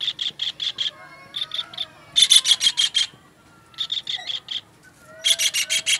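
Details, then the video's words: Kingfisher call used to tutor songbirds: bursts of four to six rasping, clipped notes repeated quickly, alternating louder and quieter runs separated by brief pauses, with faint whistles from other birds behind. "MASTERAN TENGKEK UDANG"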